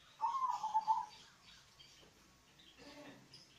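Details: Local zebra dove with a low, bassy song, played to coax lazy doves into calling: one short, rapidly pulsed coo phrase, then faint scattered chirps and soft background noise.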